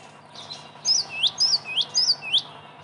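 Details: Java sparrow calls used as a lure sound for trapping: a series of about six short, bright, high chirps, each sweeping upward with a sharp note on top, spaced roughly every quarter second over a faint steady background hum.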